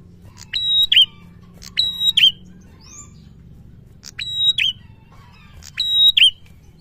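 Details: Prinia in the 'gacor ngalun' singing style, aimed at rousing quiet prinias: four paired phrases of sharp clicks, a level high whistle and a dipping squeak, with a brief rising chirp between, set against faint low background hum.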